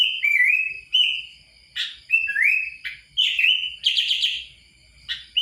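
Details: Kutilang's bright whistled phrases, mostly rising slurs repeated roughly every second. A few buzzy notes are mixed in and the background is quiet.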